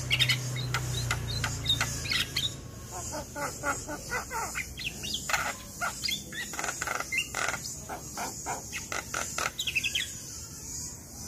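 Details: Javan myna delivering a long, busy song used to tutor reluctant young mynas: dense rattling series of clicks and harsh chips with interspersed whistles, a low rumble at the start.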